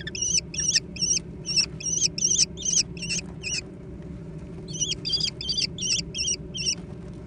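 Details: American kestrel young fighting over food give repeated shrill, quavering squeals in two long runs of rapid notes with a short pause between.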